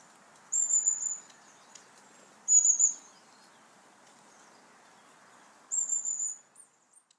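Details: Long-tailed Tit of the Nordic woods, a highly social flocking bird, gives very high, thin, buzzy bursts: three short runs spaced a few seconds apart over a soft steady background hiss.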